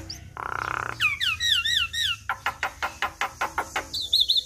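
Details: Javan myna in lively full song: a harsh buzzy burst, a run of curving whistled slurs, then a rapid series of sharp clicking notes and high wavering whistles.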